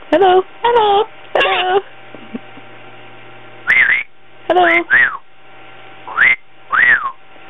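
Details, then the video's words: Pet African grey parrot, a young bird just over a year old, chattering indoors: harsh speech-like phrases with stacked tones, then clear whistles that rise and fall, separated by pauses. "African Grey Parrot wittering away!!"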